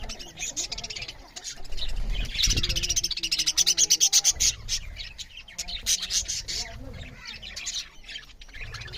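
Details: Budgerigars chirping loudly while eating: dense, rapid high chatter of many birds, with a burst of scratchy squeaks and low thumps from the feeding and handling noise.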